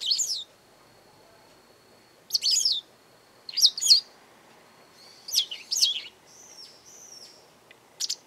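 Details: A Japanese wagtail calls repeatedly near a garden: loud, grating, descending buzzy phrases spaced a second or more apart, ending with a thin drawn-out whistle and a final sharp note.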